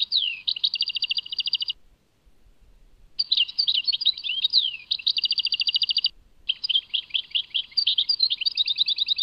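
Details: European goldfinch, Tadmait: repeated phrases of sweet slurred chirps and rapid buzzy trills, separated by short silences, the song nearly continuous in the second half.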